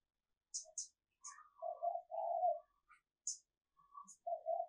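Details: Female dove calling to draw males, recorded for decoy practice: low burry coo phrases mixed with sharp, high chirps from small birds and a few mid-pitched whistled notes.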